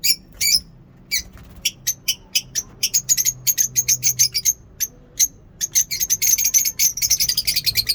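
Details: Lovebirds in a mini zoo chattering in the morning with sharp, high, clipped chirps that grow faster and denser into a steady twittering stream.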